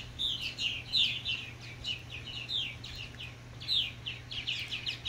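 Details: Purple Martins encouraging new fledglings, chirping in a busy overlapping stream of rapid, rich, gurgling chirps, several a second, over a steady low hum.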